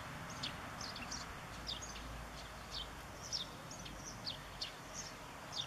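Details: European greenfinch family eating sunflower seeds on 14 September 2014 while a young bird is fed: faint, thin, high downslurred chirps repeated every half second or so over soft background rumble.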